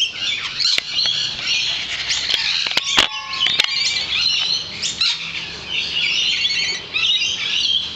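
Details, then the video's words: Numerous lorikeets by a balcony keep up a harsh, high, busy chatter of overlapping screeches, punctuated by several sharp tapping clicks in the first half. "Singing Lorikeets"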